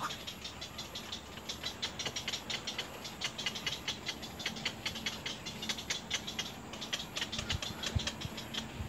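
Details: Little egret chicks at the nest begging and trying to bite their mother hard; rapid, harsh, clicking chatter repeated in dense bursts over a steady hissing background.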